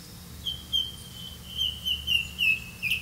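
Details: Red-vented bulbul catching crickets to feed its young; a thin, high, slightly wavering note runs almost continuously, pulsing louder in short bursts about every third of a second, over a low steady background hum.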